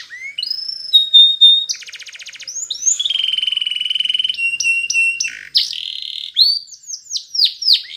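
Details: Canary song for training, mixing Timbrado style references: rapid trills, sustained whistled notes near one pitch, buzzy rolled passages and fast repeated downward sweeps, all high and clean with no other sounds.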